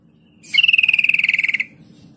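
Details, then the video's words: Sooty-headed bulbul lure sound meant to prompt mute young and flock-kept bulbuls to reply within seconds: a single loud buzzy trill of about twenty rapid pulses, lasting about a second and easing downward in pitch over a faint hum. "Trucuk kebo bisu bahan dan ombyokan langsung nyaut dalam hitungan detik dengan pancingan trucuk ini"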